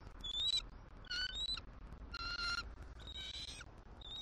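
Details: Squeaky morning greeting between bald eagle mates as the female reluctantly leaves the eggs for the male to incubate, Southwest Florida nest, December 2023; four shrill piping bursts with rough, harmonic-rich notes, under steady low background rumble.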